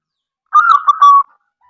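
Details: Local zebra dove used to lure other doves into calling gives a single brief rolling coo phrase, pulsed and fairly level in pitch, finishing with a longer steady note.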